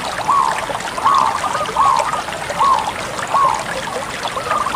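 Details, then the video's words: Bangkok zebra dove giving a steady series of rounded cooing notes, about five evenly spaced notes close to a second apart, each rising then falling, over constant hissing background like flowing water. "suara perkutut bangkok gacor"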